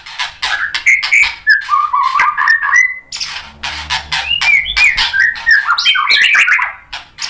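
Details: White-rumped shama in energetic song, intended to make other shamas respond: a dense mix of harsh rasping notes and quick whistled warbles repeated rapidly, with a faint low hum partway through.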